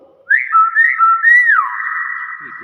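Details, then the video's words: Hill myna gives a loud whistled phrase: a few short wavering notes, then a long steady held whistle that slowly fades. Faint voices are heard at the end. "BEO GACOR SUARA ASLI"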